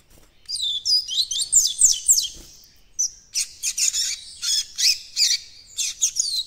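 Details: Juvenile coleiro baiano practising the encarte song: an opening tangle of slurred, warbling high notes, a short pause, then a steady series of sharp, buzzy chirps.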